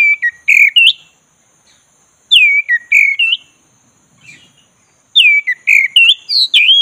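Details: Black-breasted Oriental magpie-robin song meant to wake a dull bird into singing. Three separate bursts of loud, swooping whistled phrases are split by silent pauses of about one second.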